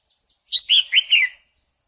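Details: Female red-whiskered bulbul singing continuously to excite a male, giving 'quých kiu' notes: a brisk phrase of four loud, clear whistled syllables, the first highest, the rest gently descending.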